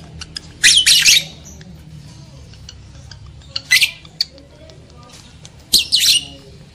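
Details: Lovebird sound meant to stir breeding males and females: three short bursts of harsh, shrill squawking chatter separated by quieter stretches with faint ticks and a low background hum.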